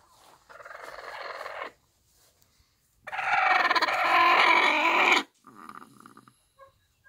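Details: Bantam hen with her one-day-old chicks on a small backyard farm: two harsh, raspy, rapidly pulsing bursts, the second louder and about two seconds long, followed by softer, shorter grating notes.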